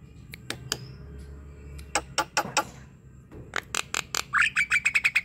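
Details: Javan myna (jalak kebo) song used as a lure to stimulate a lazy bird to sing: sharp clicks and harsh broadband notes in irregular bursts, ending in a rapid run of nasal, repeated notes over a low hum.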